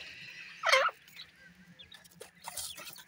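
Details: Baby partridges feeding and calling at night: one loud, harmonic, slightly wavering call lasting about a quarter second, followed by faint scattered chirps and soft clicking noises.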